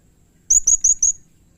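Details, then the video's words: Blue-crowned hanging parrot (serindit) calling actively, used as a training recording for cage birds: four short, very high, thin, sharp chirps in quick succession, each slightly downslurred, over a quiet background. "masteran suara burung srindit atau serindit gacor"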